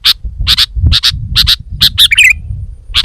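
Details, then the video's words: Female sooty-headed bulbul giving loud, paired high chips at short intervals, closing with a quick jumbled twitter, over a low background rumble. "Kicau Burung Kutilang Gacor"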